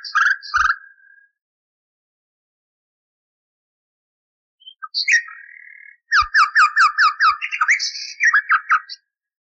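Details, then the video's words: Common nightingale song from an old recording, cleaned of noise, used to train canaries: a short whistled phrase, a pause, then a fast run of about a dozen sharp, evenly repeated notes. "Bülbül Ötümlü Kanarya Eğitimi İçin Bülbül Sesi ve Ötüşü"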